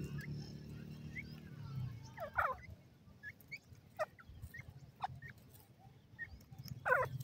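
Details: Ring-necked pheasant chicks, golden ringneck, giving brief peeps and clustered chirps, some falling in pitch, spaced irregularly about a second apart, with soft low thumps and murmur underneath.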